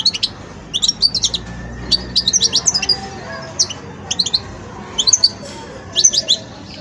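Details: Young European goldfinch in its song-learning stage, giving short bursts of high, thin twittering and chirping notes in clusters about every second, with brief pauses between phrases over a low steady background hum.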